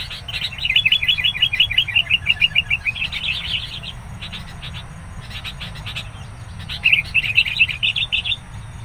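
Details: Sooty-headed bulbul (Pycnonotus aurigaster) decoy at a trapping site with wild bulbuls nearby, calling aggressively at rivals: fast, bright chattering runs of about a dozen clipped notes, breaking off and restarting after a pause, over a low hum.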